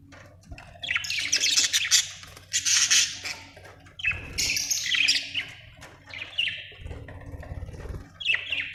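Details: Budgerigar chirping in lively bursts of scratchy, high warbling notes and quick downslurred chirps, pausing briefly between phrases, above a low hum.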